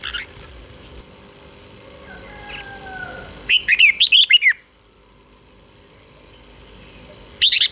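Red-whiskered Bulbul giving a quick burst of bright, bubbly whistled notes, about six rising and falling phrases in one second, with a softer whistle before it.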